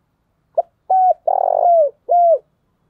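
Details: A decoy spotted dove calling, used to lure wild doves, gives a soft, hollow coo: a brief note, a level hoot, then a long falling one.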